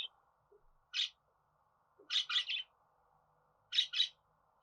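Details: Budgerigar chirping softly in short rasping notes, single or in pairs and triplets, about once a second over a low hum.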